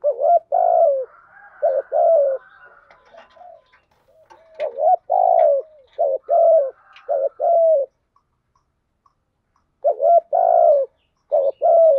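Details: Caged lure spotted dove in thúc gù cooing, used to excite wild doves into approaching. Mellow low coos come in short runs of paired notes, with faint higher chirps between them and a two-second pause before the final phrases.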